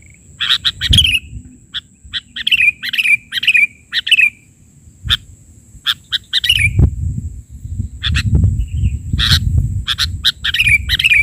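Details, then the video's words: Sooty-headed bulbul in vigorous isian (filler) song, bahari version. A lively run of short, bright chirped phrases, many ending in a downward slur, comes in quick succession. A low rumbling noise swells in the second half. "Suara isian...burung kutilang gacor versi bahari"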